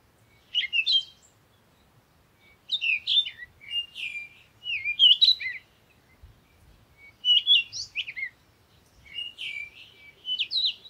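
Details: Parakeet call bouts: clustered, high, squeaky chirps and rapid warbled notes come in five separate bursts with short silences between them, against a quiet background.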